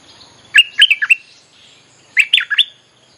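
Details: Bulbul song used as a lure to call wild birds: two quick bursts of four to five bubbly, warbled notes around mid-high pitch, separated by a pause of over a second, with faint background hiss.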